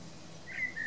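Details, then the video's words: A common blackbird singing in the woods gives a brief fragment of mellow, fluting whistles, two sustained mid-pitched notes, over a soft low background hum. "Blackbird singing in the woods"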